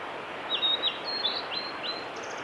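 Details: Male blue-and-white flycatcher singing on the Ni-no-ashi forest road on 18 April 2021: a quick run of high, clear slurred whistles, some rising and some falling, over a steady rushing background hiss.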